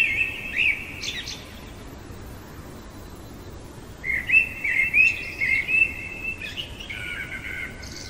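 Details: Common blackbird singing in the middle of the night, a short fluty phrase at the start, then after a pause a longer run of warbled, slightly rising notes ending in high squeaky twitters, with quiet background hiss.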